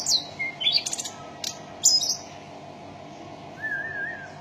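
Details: Mountain tailorbird song: a few thin, high chirps and sliding notes in the first two seconds, broken by sharp clicks, then a faint, level whistle near the end over quiet background hiss.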